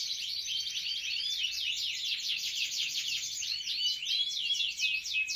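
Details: Canary in full song, pouring out dense rapid trills and bright twittering notes at a high pitch, the phrases rolling almost without a break, over quiet low background noise.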